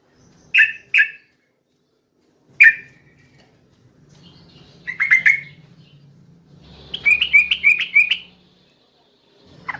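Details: Night-time yellow-vented bulbul, described as a female calling the male: a pair of crisp chirps, then a single chirp, a bubbly cluster and a quick run of rising twittered notes, with a faint hum below.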